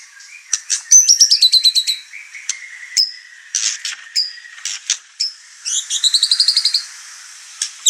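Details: Over-excited white-rumped shama bringing out its song material and agitating the household's other birds. Dry clicks and short trills alternate with brief whistled notes, ending in a quick repeated trill and a few scattered clicks.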